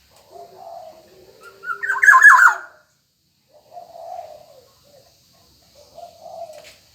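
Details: Black-naped oriole in active voice: a loud, harsh, nasal burst framed by softer, low, hoarse notes before and after, repeated about every two to three seconds.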